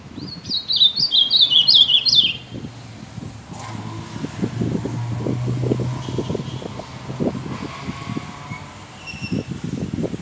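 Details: A singing Ultramarine Grosbeak (Cyanoloxia brissonii) gives one quick, sweet warbled phrase of high slurred whistles lasting about two seconds, followed by low rumbling, knocking noise and faint high tones.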